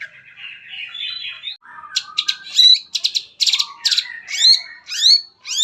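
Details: Long-tailed shrike singing a lively lure song meant to prompt other shrikes to sing: soft warbling at first, then rapid buzzy bursts, chattering notes and sharp rising whistles, high-pitched and varied.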